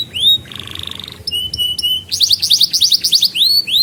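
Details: Canary song for young birds to learn and for prompting canaries that stopped singing: an upswept whistle, a buzzy rasping trill, flat piped notes, a fast run of bright rising chirps, then looping whistles.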